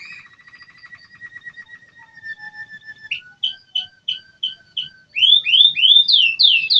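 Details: American Singer canary song opening with a soft rapid trill, then a series of short repeated whistled notes about three per second, building into loud sweeping slurred phrases.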